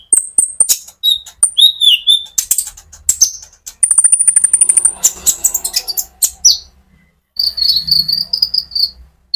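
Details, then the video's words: Olive-backed sunbird singing loudly, a recording played to excite other sunbirds; very high thin whistles and chirps, a rapid stuttering trill, then a steady high whistled phrase, with faint low rumbling behind. "pancingan Burung Konin gacor ngerol untuk kolibri ninja ijoan sampe metalik"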